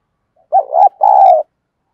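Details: Spotted dove kept as a decoy in Vietnam, cooing in the 'thúc gù' style used to draw wild birds: one husky two-part coo, a short rolling note followed by a longer steady hollow tone.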